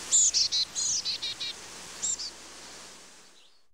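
A black-capped chickadee gives a quick run of about eight high, thin chipping notes, dropping slightly in pitch, then two more after a short pause, over faint background hiss.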